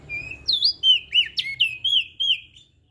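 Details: Lombok crested white-eye in full song, a tutor recording meant to coax reluctant singers: a drawn whistle followed by six or seven looping, warbled slurred notes in quick succession, clean and melodious, with no other sounds.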